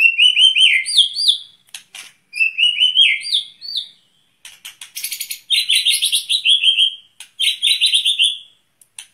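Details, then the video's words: Captive white-rumped shama hung outside for breath training delivers a varied song: repeated rippling trills and upswept whistles, broken by sharp clicks and buzzy high phrases, in phrases separated by short pauses. "murai di umbaran untuk melatih pernapasan"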